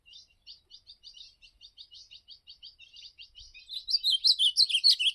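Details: Ultramarine grosbeak, or azulão, giving a campeada-style song: a long run of short, evenly spaced chips that builds into a loud, rich warbled phrase in the final second and a half, with almost no background noise.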